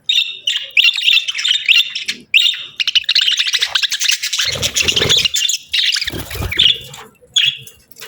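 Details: Continuous budgie chatter: fast streams of warbled, buzzy chirps and clicking notes run almost without a break, high and bright, with a couple of dull low thumps partway through.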